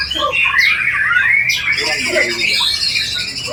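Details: A white-rumped shama with a sharp voice sings a richly mimicked song: long rising and falling whistles, then quick high chatter, loud and unbroken.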